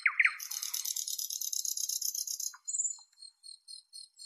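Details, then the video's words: Nightingale song with two quick descending notes followed by a sustained harsh rattling buzz lasting over two seconds, then a thin whistle and soft scattered ticks. "Nightingale Birdsong"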